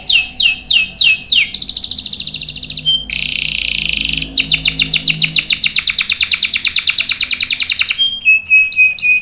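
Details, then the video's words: Lively canary with long rolling song for provoking and tutoring young canaries: downward sweeping notes, a high trill, a steady buzzy roll, a long fast pulsing trill, then short whistled notes. "KENARI GACOR NGEROL panjang bagus untuk PANCINGAN dan MASTERAN paud | CANARY SINGING"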